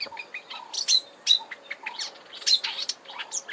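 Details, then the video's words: At Kap River Nature Reserve, Eastern Cape, South Africa, in March 2020, a marsh warbler delivers a quick jumble of high chirps and bright, whistled notes in an uneven, rambling run that includes mimicry. "Marsh Warbler singing at Kap River Nature Reserve, Eastern Cape, South Africa in March 2020."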